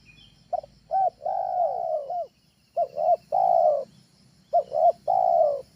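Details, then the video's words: Cooing of a trained spotted dove, a lure call for home use: three phrases, each of two brief coos and then a long, slightly wavering coo, over a low rumbling background and faint high hum. "SUARA TEKUKUR AJARAN, SANGAT COCOK UNTUK PANCINGAN DI RUMAH"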